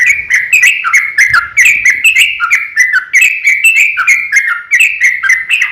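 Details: Sooty-headed bulbul fighting song in the long, rapid ropel style, used as a lure to make other bulbuls sing. Bright chirping notes bounce up and down between mid and high pitch in quick, uneven succession, with no other clear sounds.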